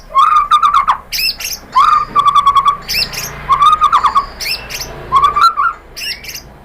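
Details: White-rumped shama (murai batu) in a lure song to provoke answering birds: low mellow whistled notes in short runs, repeated about every one and a half seconds, between sharp high chips.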